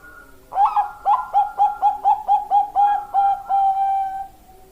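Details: Zebra dove of the Bangkok type singing a rhythmic phrase: a higher opening note, then a quick run of about twelve short, clipped coos that settle into a steady repeated tone, the last notes slightly longer.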